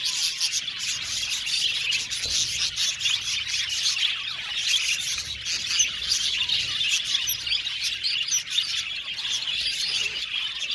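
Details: Budgies chirp and squawk together in a loud, dense chorus of fast high tweets, with occasional harsher notes rising above the continuous chatter.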